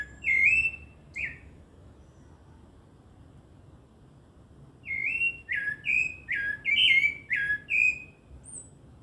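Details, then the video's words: Rufous-bellied thrush singing clear whistled phrases: a short burst of two rich, slightly falling notes, a pause of several seconds, then a rapid string of six fluted, varied whistles. "CANTO GOSTOSO DO SABIÁ LARANJEIRA"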